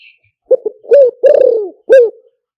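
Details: Spotted dove coo for luring by loudspeaker: a single phrase of two quick short notes, a rising coo, a long falling drawn coo and a final short coo.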